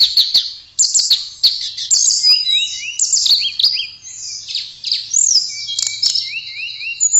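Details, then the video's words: Blue flycatcher (tledekan) in sweet, lively song: high whistled notes and quick rising slurred phrases, some repeated in short series, with sharp clicks between phrases. "Kicauan Merdu TLEDEKAN Keren Buat Mastro Voice Tledekan Gacor"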